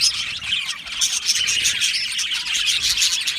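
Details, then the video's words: Colony of Australian budgies in an aviary, a lively mix of sharp chirps and clear whistled notes rising out of constant, crowded high twittering from many birds. "Budgie singing and chirping sounds"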